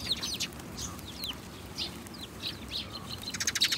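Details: Scattered sharp house sparrow chirps, some with quick downward slurs, spaced about half a second apart, ending in a brief burst of rapid chirping, over low steady noise.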